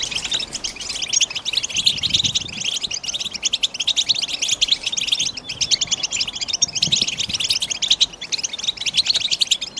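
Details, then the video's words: A European goldfinch sings a continuous, fast, high twittering of liquid notes and buzzy trills, pouring on without pause. "بتبتة الحسون"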